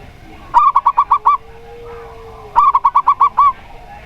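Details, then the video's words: Local zebra dove (perkutut lokal) singing, used as a lure recording to set other doves singing: two quick runs of six or seven bright, bubbly staccato notes about two seconds apart, with a faint low steady hum between. "Perkutut Lokal Suara Plong"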